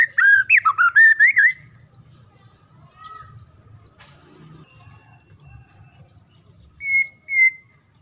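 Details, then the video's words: A magpie-robin song, played so untrained young magpie-robins learn to sing, opens with a quick, loud run of rich, rising whistles, then a quiet spell with faint notes, and two clear whistles near the end. "Ocehan Murai"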